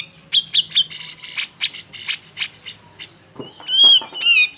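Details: Cucak jenggot (grey-cheeked bulbul) singing excitedly to stir other birds into song: quick sharp chips mixed with rasping buzzes, then two loud, clear, slightly falling whistled notes near the end.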